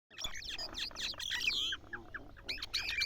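Mynas chatter in a dense jumble of harsh squawks, clicks and bright whistled notes, several birds calling at once, with a soft low hum beneath.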